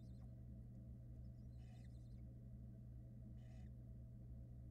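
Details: Barn owl nest box in Florida with young, the female coming back soaking wet after a brief outing. Two faint rasping hiss bursts rise over a constant low hum from the camera.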